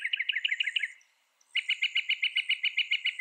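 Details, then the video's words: Northern mockingbird delivering rapid rhythmic phrases: a quick chattering series, a short silence, then a steady run of about fifteen evenly spaced sharp notes, faint insect drone behind. "Northern Mockingbird Bird Sound Bird Song Bird Call"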